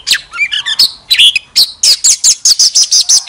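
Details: Oriental magpie-robin kept as a lure bird, singing with tail fanned: a few mixed whistles and warbles, then a fast, even run of about ten sharp, high repeated notes.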